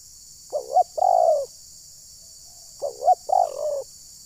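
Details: Trapping decoy spotted dove (terkukur) from Ujung Batu, Rokan Hulu, Indonesia; two phrases heard, each two short wavering notes followed by a longer descending coo, separated by a pause of over a second.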